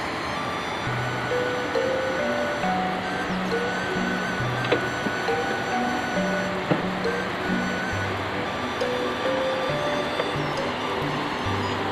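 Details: Steady music with low-pitched notes runs over constant background noise, and no animal can be heard.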